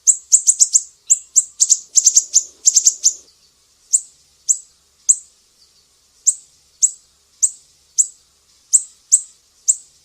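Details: Mangrove whistler from Sumatra, a master recording for training songbirds, in a piercing 'besetan' style: sharp, very high chipping notes in fast bursts of four or five, then single spaced chips about every half second.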